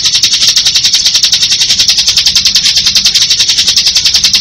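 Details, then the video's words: Bar-winged prinia giving unbroken ngebren song: an intense high rattling trill of fast, evenly repeated pulses, swelling rhythmically in loudness for the whole stretch, with nothing else clearly heard. "Suara Burung Ciblek Ngebren"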